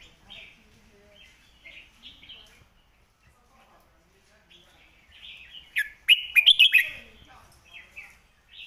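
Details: Red-whiskered bulbul performing a sharp master song meant to teach other birds: scattered soft chirps, then one loud, rapid cluster of clear warbled notes near the end.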